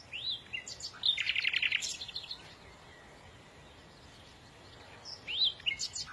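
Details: Songbird chirping: rising whistled notes, then a rapid buzzy rattle for about a second, a quiet pause, and further upslurred whistles near the end.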